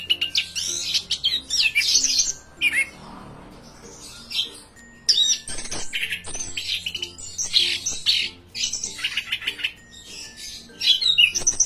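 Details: Orange-headed thrush, a kept songbird from Indonesia, in full loud song: dense bursts of varied, rich whistles and harsh chattering phrases separated by short pauses, with a faint low hum beneath.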